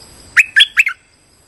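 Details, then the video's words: Three bright, bubbly chirps from a streak-eared bulbul, used as a lure call for bird trapping, quickly delivered, the final note trailing downward into a short second element; a faint high tone hums throughout. "Suara pikat merbah lekir gacor"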